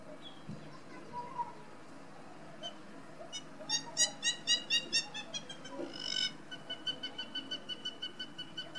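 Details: Hamerkop giving its laughing call: a run of sharp, nasal, evenly spaced notes that swell in loudness, break into a brief harsh burst, then resume as a steady series of clipped yelps over a low background hum.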